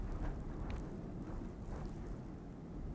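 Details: Dense low rumbling wind and handling noise with brief broadband crackles, no animal calls.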